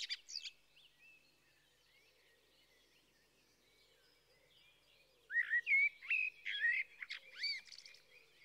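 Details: Blackbird song: after a quiet stretch with a few thin notes, a burst of clear, fluty whistled phrases with quick rising and falling slurs, delivered in short separated bursts, then fading out.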